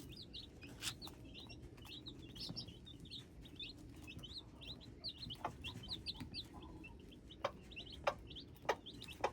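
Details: Hybrid chicks peeping, many short high chirps in quick succession at roughly a hundred and a half per minute, with occasional sharp clicks and a steady low background rumble.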